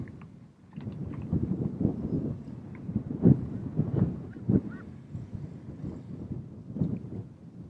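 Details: Common raven (Canary Islands subspecies, Corvus corax canariensis) on Fuerteventura, Canary Islands, Spain, in February 2017, giving a few deep, hoarse croaks at uneven intervals over a steady low rumble of wind or distant noise.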